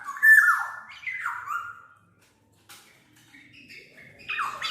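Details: Black-naped oriole song used as a lure and training tutor: loud, fluid, slurred whistles sliding downward, a two-part phrase at the start, a quiet gap, then a rising liquid whistle at the end.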